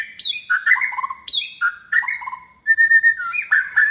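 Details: Caged second-season white-rumped shama, hand-raised from a nestling and described as bold, with many voices. Crisp whistled phrases each open with a high note, then drop into lower fluty notes, repeated about every second.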